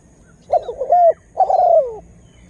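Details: Spotted dove used as a decoy to attract wild birds; two rougher, drawn-out coo phrases, the second sliding clearly downward at the end.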